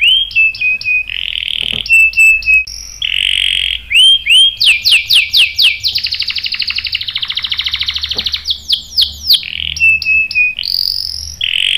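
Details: Eager canary song used to provoke other canaries into answering with sharp rolls: varied phrases of clear whistles, fast swoops and long buzzy rolls in quick succession, loud and continuous for nearly twelve seconds.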